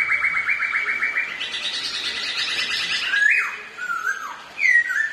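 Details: Two ornamental black-throated laughingthrushes in a singing contest, also dancing: a long fast trill of ticking notes steps higher, then gives way to swooping whistles that rise sharply and fall away.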